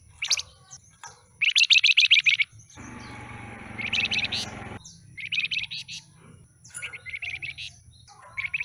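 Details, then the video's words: Short-tailed flamboyan newly obtained from a bundle of wild-caught birds, singing bright rapid trills of evenly repeated high notes in bursts of about one second, with a broad rustling noise in the middle. "Suara Asli Kicau Flamboyan Ekor Buntung"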